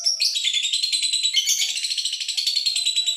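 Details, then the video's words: Male lovebird chattering steadily: a continuous stream of shrill, scratchy, twittering notes rapidly repeated at high pitch, with no breaks. "Love Bird Jantan"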